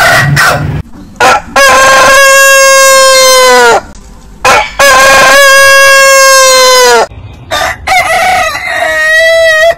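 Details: Roosters of heritage chicken breeds crowing long. Two sustained, strong crows of about two seconds each fall slightly at the close, with short clucks between them and a third crow starting at the end.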